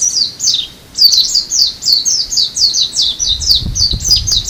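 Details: Japanese white-eye in February on Amami, a rapid high-pitched twittering warble of descending slurred notes, briefly pausing near the first second before resuming; soft low rumble toward the end.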